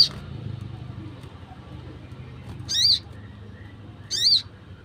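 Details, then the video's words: Wild sunbird call for luring birds: loud, piercing, high chirps that bend up then down, given singly about every one and a half seconds over quiet background. "PANGGILAN SOGON LIAR"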